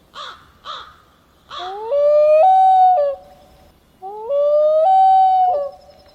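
A Common Loon gives two long, mournful wailing notes that slide up, hold, step higher, then fall away. Three short, harsh calls come first.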